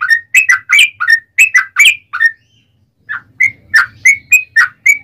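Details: Yellow-vented bulbul song used to provoke other bulbuls into singing: long run of bright, liquid bubbling notes, each a quick rising-falling warble, delivered in rapid bursts with a brief pause midway, faint low hum beneath.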